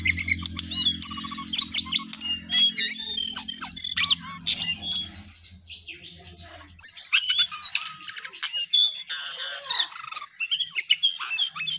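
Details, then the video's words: Lesser shortwing (cingcoang coklat) in energetic song: a rapid, varied stream of high, sharp chirps, trills and whistled slurs. A pause near the middle is followed by another dense burst. A low steady hum sits under the first half. "Jongkangan/Cingcoang coklat paling gacor"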